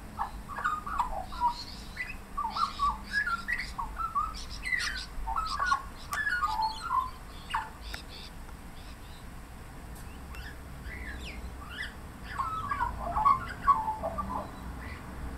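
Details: An Australian magpie perched on a suburban Melbourne fence in late-afternoon light drizzle sings a rich, warbling run of fluted and chirping notes, part of a long repertoire that includes mimicry of a dog bark, gull and parrot; soft hiss behind.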